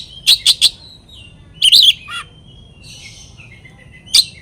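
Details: Oriental magpie-robin song, played to provoke rival birds into agitation: three sharp, high chipping notes in quick succession, a buzzy burst with a low dropping note, then thin drawn whistles and a final sharp note over faint background hiss.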